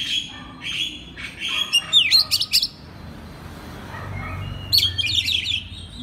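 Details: Oriental magpie-robin singing, used as a master recording to set other magpie-robins singing: mixed whistles and chirps building to a loud rapid burst, a quiet gap, then another run of high trilled notes.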